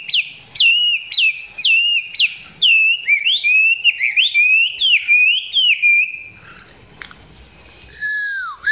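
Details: Chinese hwamei recorded nearby, its song said to be not yet strong; rapid repeated whistled notes flowing into a long warbling run, then quieter clicks and a final descending whistle.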